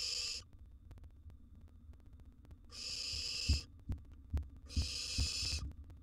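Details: Nest-box barn owl chick, wild, feeding on a big gerbil; three drawn-out, broad, airy hisses separated by pauses, with dull knocks and thumps between them.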